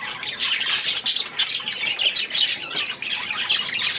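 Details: Young budgerigars from last year in their new aviary, first days after release; loud scratchy squawks and chirps tumbling over one another in a constant group chatter.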